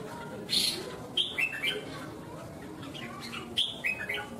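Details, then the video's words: Red-whiskered bulbul at a Vietnamese singing contest gives separated bursts of clear, looping whistled notes, each burst a few quick syllables, with quiet gaps between and light background noise. "Chào mào CAFE cứng , chiến binh ché đấu hót xòe"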